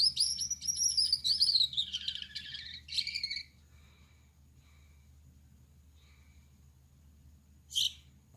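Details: A male Gouldian finch, red-headed, yellow-backed and white-breasted, sings at night: about three seconds of high buzzy warbling and a short rasp, then near silence with faint ticks and one brief sharp note near the end.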